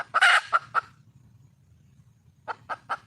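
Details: Red junglefowl hen in the wild calling to attract a male. A loud, raspy squawk is followed by two clucks, then a pause, and then three spaced clucks start a new series.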